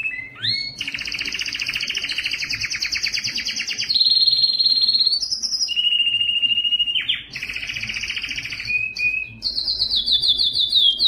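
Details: A Belgian canary sings a continuous high song of fast rolling trills, buzzy passages and pure whistled glides, switching phrase every few seconds; the song is described as sung to attract and stimulate females for breeding.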